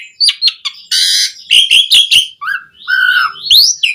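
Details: Javan pied starling song, a lure to encourage other starlings to sing, mixing a harsh buzzy burst, quick chirps, a low whistled note and a rising squeal.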